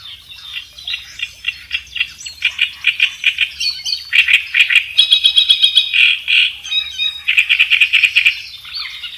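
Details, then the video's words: Energetic kerak besi song, recorded as training material for other songbirds; varied stream of harsh chirps, squeaky whistles and quick rattles in rapid succession, with a brief buzzy trill midway. "suara burung kerakbesi gacor buat masteran"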